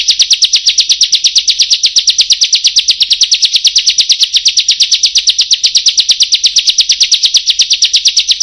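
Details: Bar-winged prinia in a long rolling trill, very fast high notes running continuously and evenly for over eight seconds without a break.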